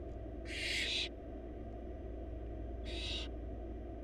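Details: Barn owl chick begging inside a wild nest box while the mother feeds four young a huge rabbit; one long rough hiss followed two seconds later by a shorter one, steady background drone.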